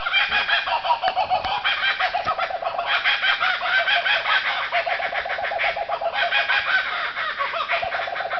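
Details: Several wild kookaburras laughing hysterically all around a campsite at Alexandra Bridge near Margaret River, Western Australia; dense, loud, continuous cackling chorus of rapid repeated hoots and chuckles throughout, several birds overlapping.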